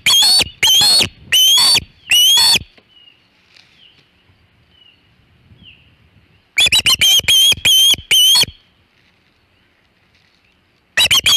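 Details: An osprey on the Hog Island nest, 27 August 2019 near 3:50 pm EDT, with a large shad. Two bursts of loud, shrill, rising whistles, four to six notes each, separated by a long quiet pause with faint soft chirps.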